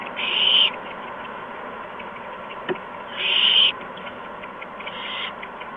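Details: Nestling owls during evening feedings with mice and a gopher, 13 March 2015 near 8 PM; two strong breathy screech bursts a few seconds apart, a fainter third one, and a brief click between them.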